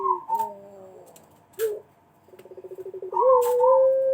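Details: Lure call of a Pelung dove: warbled, sliding notes and a short hoot, then a fast burst of about a dozen even pulses rising into a long, steady coo.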